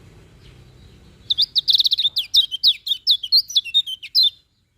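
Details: A lemon-bellied white-eye sings in the morning: a quick, high, chattering sequence of about twenty short zigzag whistles packed into three seconds, ending abruptly.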